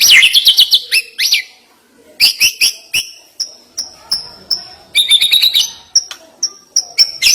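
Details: White-rumped shama with a sharp, fast song fill. Clipped high chatter opens the sequence, followed by a series of thin, piercing whistled notes spaced about half a second apart, with further chattering bursts between them.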